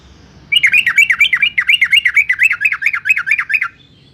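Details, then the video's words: A yellow-vented bulbul (Pycnonotus goiavier), recorded in Semarang, Central Java, and used to provoke kept bulbuls into answering, sings a fast, bubbly run of about sixteen rising-and-falling warbled notes over three seconds, with a faint low background hum. "Trucukan gacor NGEPLONG NEMBAK"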